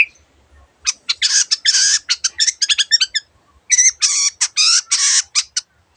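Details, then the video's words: Long-tailed shrike singing a mimicry-filled song, loud harsh grating bursts and rapid chattering notes in two long runs separated by a short pause. "cendet gacor masteran untuk burung yang susah bunyi banyak varian suara burung lainya"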